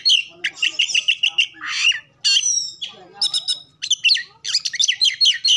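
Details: Oriental magpie-robin prompting song: quick bursts of repeated chirps alternating with harsh, buzzy squawks and bright trilled runs, delivered loudly with short gaps.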